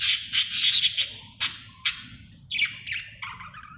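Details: A happy budgie gives loud, harsh chirps and sharp clicks in quick succession, then a few lower, falling chattering notes at the end.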